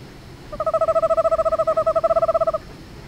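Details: Eastern screech owl giving a monotone trill: rapid, evenly spaced pulses at one steady pitch, held for about two seconds, against a quiet background.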